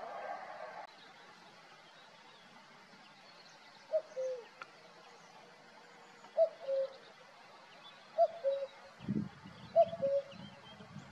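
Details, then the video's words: Male cuckoo singing at Valdeolea, somewhat distant: four soft descending two-note cu-coo calls in the second half, with a short low rumble near the end and quiet background. "Cuco macho cantando."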